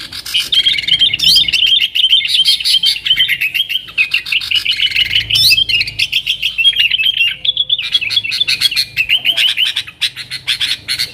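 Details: Extended bulbul chatter from a yellow-vented bulbul in 'nggaruda' style, a lure for wild sooty-headed bulbuls; rolling, bubbling warbles flow almost nonstop for eleven seconds with a few short breaks.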